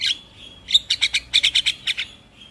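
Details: Caged black-winged starling heard as a lure to get stressed or silent birds singing: after a brief high note, a quick series of about ten sharp, even chips in a steady burst, ending in a faint thin whistle.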